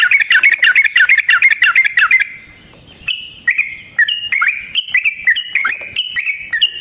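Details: Yellow-vented bulbul giving a long fighting song meant to provoke another bird: rapid bubbly warbled phrases repeated about three times a second, a pause, then looser rising and falling whistled notes.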